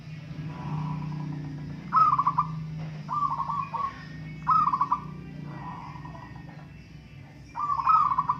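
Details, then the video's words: Local zebra doves compete in song: a run of five stuttering, bubbling coo phrases with a brighter high note at the start of some, against a louder low rumbling hum. "Burung perkutut lokal adu suara"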